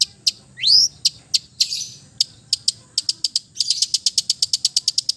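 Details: East Java long-tailed shrike singing a relaxed, mimicry-rich song for therapy of silent birds: one rising whistled sweep, then sharp ticking notes speeding into a fast, even series of clicks.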